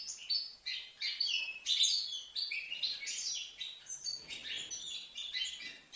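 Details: Young European goldfinch, five months old, singing a rapid, jumbled warble of high twittering and buzzy notes, continuous and fairly quiet, with faint background noise.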